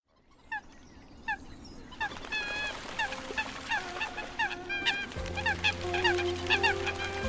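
Eurasian coots give short, nasal, metallic notes, repeated about twice a second and overlapping. A steady low electronic hum joins near the end.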